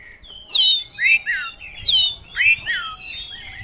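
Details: Oriental magpie-robin in full gacor song: paired phrases of a high descending whistle followed by lower falling slurred notes, repeated about every one and a half seconds.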